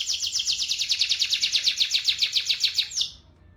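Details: Canary song used as a lure to get other canaries singing: a fast, loud rolling trill of rapid chirps, about a dozen repeated notes over three seconds, holding steady then stopping abruptly.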